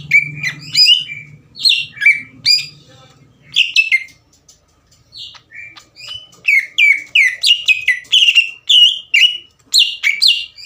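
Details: A green leafbird's agitated song meant to make rival birds angry and start singing: bursts of sweet, slurred whistles with rapid chattering notes, a short quiet pause midway, then a faster run of varied descending phrases.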